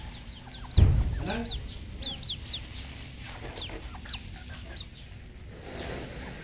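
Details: Red junglefowl at a farm in Cambodia: many thin, high, downward-sliding peeps overlap in quick bursts, with one loud thud near the start and a steady low hum underneath.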